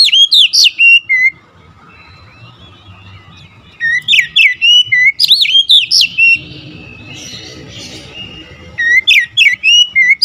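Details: Agitated, fierce singing of an oriental magpie-robin: three separate bursts of rapid, ringing whistled notes that rise and fall, split by quieter gaps with soft background rumble and scattered faint notes.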